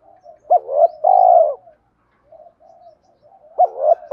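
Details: Fighting coo of a spotted dove, used when trapping to lure wild birds: a quick double note and a long, steady hollow coo, then soft low murmurs before the next phrase begins.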